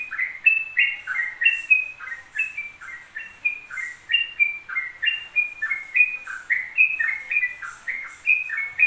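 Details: Continuous song of a yellow-vented bulbul: a long unbroken stream of rollicking, liquid whistled phrases rising and falling, roughly three phrases every second, with faint high chips in the background.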